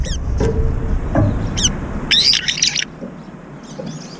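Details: Brown-eared bulbuls battling over a food dish: a few sharp squeaky notes, then a loud rasping screechy outburst lasting under a second, with soft thumps behind.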